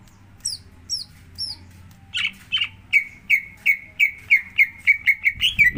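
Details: Greater green leafbird song played as a lure to get another bird singing: three faint, very high hooked notes, then a quickening run of clear down-slurred whistles about three per second.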